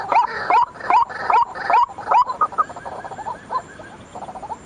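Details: White-breasted waterhen lure call at night: a few loud, rising croaking notes roughly twice a second, then softer, quicker scattered croaks trailing off.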